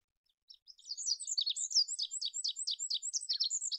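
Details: Olive-backed pipit singing: a dense, fast run of high, thin chirps and short buzzy slurs that starts after half a second and keeps up a quick, jittery rhythm to the end, with no other sounds.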